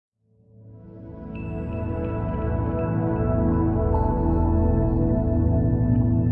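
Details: Soft ambient music fades in over the first second, then holds as a steady bed of sustained low tones and layered harmonics, with no animal voices present.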